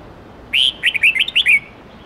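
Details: Song of a red-whiskered bulbul in forest-standard voice, 8-9-10 note style, used as a model for young birds: a brisk burst of roughly six bright, looping whistled notes against a quiet background.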